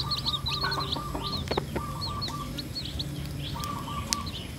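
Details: A hen red junglefowl leads her mixed-blood chicks to feed outdoors. Rapid, high, downslurred peeps chatter almost continuously over a droning insect tone and low background rumble.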